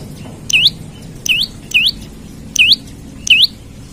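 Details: Olive-backed tailorbird in loud, lively song used as a lure for other birds: five bright, high, hooked upslurred notes, each a short dip and sharp rise, spaced unevenly a little under a second apart.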